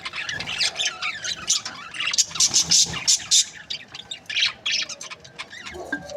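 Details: Group of budgerigar breeding pairs calling in rapid, irregular chirps and bright squeaks mixed with buzzy warbling, several notes a second throughout.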